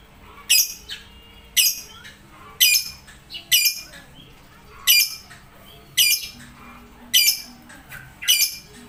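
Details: Lovebird giving loud, shrill squawking calls, one harsh burst roughly every second, eight in a row over a faint steady background hum.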